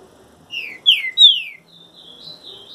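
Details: Moulting trinca-ferro (green-winged saltator) gives three loud downslurred whistles in quick order, followed by a soft, thin warbling trail.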